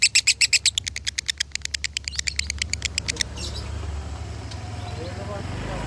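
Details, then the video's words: Lovebird of the 'konslet' long-song type from Salatiga, Indonesia: three seconds of fast, scratchy, high chirping that fades out, with rumbling background noise taking over. "Masteran Lovebird Konslet ASLI Tembus Poin 8400"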